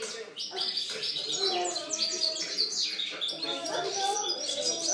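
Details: European goldfinch in song, recorded 2013: an unbroken stream of bright, high twittering phrases with buzzy trills and quick slurred notes, and faint lower sounds underneath.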